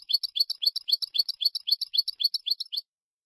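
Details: Teaching recording of European goldfinch song in the Málaga style: a steady, evenly spaced series of sharp, high twittering notes, roughly four a second, stopping abruptly before the end.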